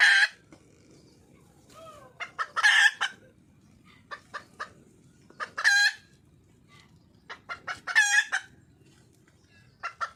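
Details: Wild red junglefowl hen calling for a male: irregular loud, rasping cackles every two to three seconds, interspersed with scattered short clucks and low soft notes over a light background hiss.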